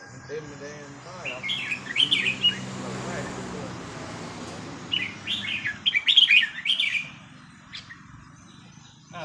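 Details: Red-whiskered bulbul during a training session: two bursts of rapid, chattering warbled phrases about four seconds apart, over a steady broad background hiss and faint voices.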